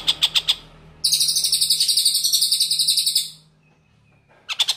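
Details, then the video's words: Long-tailed shrike, recorded as a tutor for white-rumped shamas: a few harsh rasps lead into a high, buzzy, ringing trill lasting about two seconds, a thin faint whistle, then rapid rasping chatter again. "TENGKEK BUTO Gacor"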